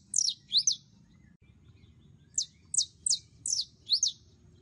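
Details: Female canary in heat calling a male: two quick downslurred chirps, a pause, then a string of five sharp high notes close together.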